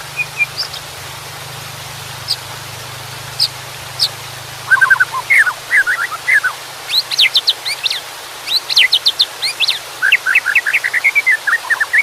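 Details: White-rumped shama with water in the background: sparse single high notes at first, then rich, rapid phrases of slurred, warbling whistles that rise and fall, growing denser toward the end.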